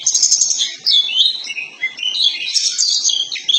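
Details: Oriental magpie-robin of the kacer poci type, a lure recording meant to get a caged bird to fan its tail and sing loudly: rich, varied, high whistled and chattering phrases, fast and continuous, with sweeping notes and quick trills.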